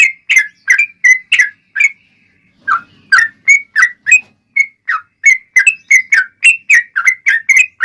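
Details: Yellow-vented bulbul delivering an energetic rapid-fire song intended to lure others to answer. Bubbly slurred whistles come in a quick series, stop for a moment, then return as an even faster chattering run.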